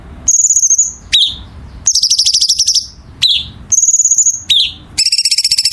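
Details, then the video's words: Songbird used as a masteran training recording for singing birds: long high sustained whistles alternating with sharp downslurred notes and fast buzzy rattling trills, loud and repeated, over a faint low hum. "Masteran Burung Gacor"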